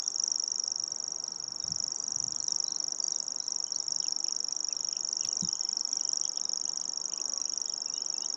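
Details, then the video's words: Nominate common grasshopper warbler reeling in April at Anderlecht, Belgium: an unbroken, very high mechanical trill of fast regular ticks sustained throughout, a few soft distant bird calls and low thumps in the background. "Locustelle tachetée (Locustella n. naevia) Common Grasshopper-warbler"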